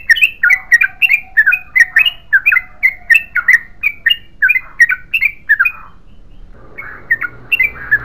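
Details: Yellow-vented bulbul in long continuous song: a quick run of bubbly, chirping notes for about six seconds, with a faint steady tone underneath, then a pause with rustling noise before the chirps resume.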